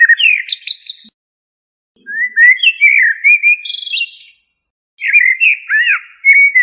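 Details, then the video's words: Common blackbird singing loudly in three phrases. Fluty slurred whistles mix with sharp upward sweeps and higher squeaky notes, with faint scratchy sounds between phrases. "تغريد طائر الشحرور ( جحمومية - الزرياب )"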